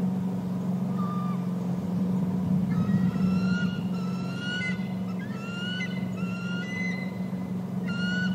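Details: Eagles at the nest while eaglets are fed, one arriving with more fish and giving odd talking tones: a single thin note, then series of rapid high chittering, down-slurred whistles over a constant low hum.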